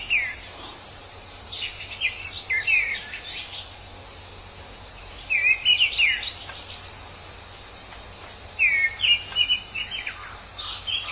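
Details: Orange-headed thrush in its natural habitat, delivering varied whistled phrases in three main bursts with gaps of a few seconds, over continuous high insect hiss.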